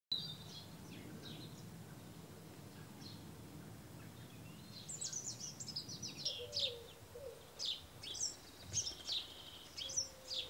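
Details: Male Brambling giving short, high, sharp chirps, scattered at first, then in a quicker burst over the last few seconds, above a low background rumble.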